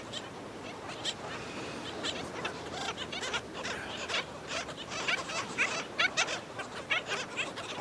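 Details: Black skimmers at the nest with chicks on St. Pete Beach, Florida: harsh, nasal barking calls repeated about once a second by several birds, overlapping and growing louder, over steady beach background.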